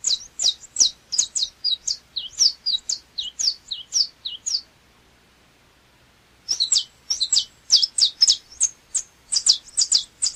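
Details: A saffron finch, known locally as canário chapinha, sings quick runs of high, sharp, falling chirps for several seconds, pauses briefly, then resumes with denser, rapid notes.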